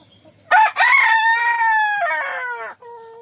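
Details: Morning crow of a rooster, starting with two rough bursts and then a long steady drawn-out note that slides down at the end, with a brief quieter tone trailing after.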